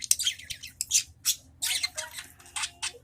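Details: Adult budgerigars kept in a cage, calling back and forth to each other: harsh, buzzy, high-pitched chirps and squawks in quick uneven bursts, with brief pauses between them.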